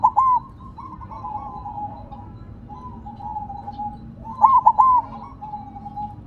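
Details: Caged silver zebra dove placed on the ground, cooing steadily: soft rolling notes trailing into long level coos, then a sharper stuttering burst near the end, with quiet room hum behind.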